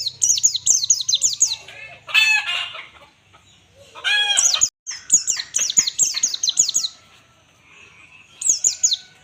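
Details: Training master of white-eye ngalas song: fast sequences of high falling notes, interrupted twice by loud, harsh, lower stacked chattering bursts, then a final short run.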